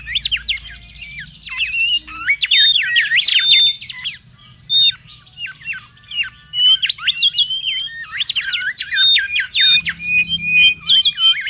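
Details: Busy wild mangrove whistler, used for luring and tutoring, sings continuous high jumbled phrases: quick chips, short bright whistles and looping slurs, with brief gaps and a low rumble in places.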